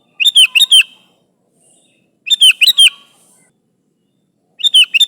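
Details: A sooty-headed bulbul calls to its companions with clipped, bubbly three- to four-note phrases, each burst liquid and slightly descending, repeated about every two seconds against silence.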